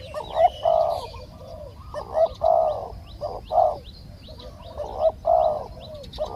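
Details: Spotted doves in a live decoy session luring wild birds: loud hollow coos in uneven bursts, some doubled, with softer answering coos between and faint high chirps from other small birds.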